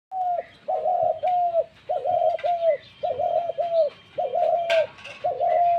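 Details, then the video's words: Dove, a widely shared bird, giving its fighting-call coo: a steady series of low, slightly downslurred hoots in pairs, roughly one per second, with faint chirps of other small birds behind. "মাইর ডাক ঘুঘুর"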